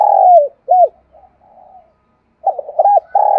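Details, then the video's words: Spotted dove cooing to spur wild doves to answer: a long low coo sliding down, a short arched note, soft fading coos, then a fast series of bouncing notes and another sustained coo. "tiếng cu gáy thúc bổi sung"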